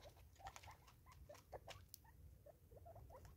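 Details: South Africa, 2024: five Natal spurfowl eating together make rhythmic sounds, quiet clipped notes pattering in quick bursts alongside sharp tapping clicks and low background noise.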